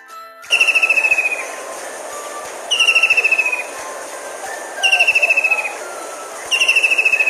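A kingfisher gives shrill, rapid trills that slide slightly downward, each burst under a second long and repeated about every two seconds over soft background music.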